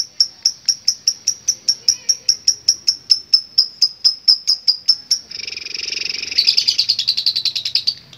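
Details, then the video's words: Lovebird starting with a steady series of clear, sharp high chips about three per second, then breaking into a noisy, rasping, fast chatter that rises into a long ngekek. "Love Bird Gacor Ngekek Panjang"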